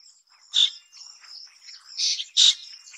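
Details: Black drongo of the Taiwan endemic subspecies harterti, chicks being fed at the nest: high, thin squeaky chirps in three sharp bursts over a faint continuous hissing whine, with softer twittering in between.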